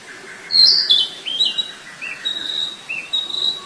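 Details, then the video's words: A flycatcher in the wild sings high, thin whistles that bend downward, beginning with a strong phrase and trailing into softer repeated notes, against steady background hiss and a faint lower hum. "Burung sikatan di alam liar"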